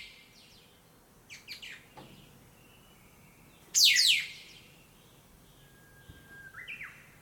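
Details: From around sunrise, birds gathered in a big black locust tree beside a house in town sing busily, heard through a window: scattered quick chirps, one loud scratchy burst, then a thin whistle ending in a rising note.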